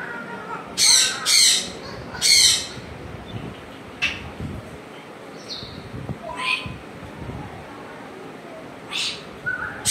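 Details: Pet African grey parrot at home giving several loud, harsh broadband squawks early on, then scattered short whistled notes and chirps over a quiet background.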